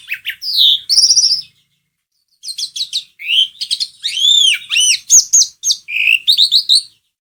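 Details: Asian pied starling song used to prompt another bird to sing: a rich mix of whistles, arched slurred notes, rapid chatter and clear rising and falling phrases after a short pause.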